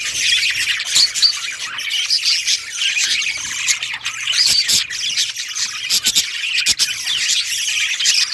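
Budgerigars warble continuously in a dense, scratchy chatter of squeaks, chirps and harsh squawks, several birds overlapping without pause.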